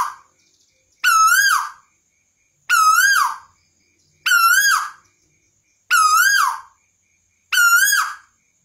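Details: A tuwu bird calling actively gives a loud, harsh, wavering whistle with a dip and rise, repeated about every one and a half seconds.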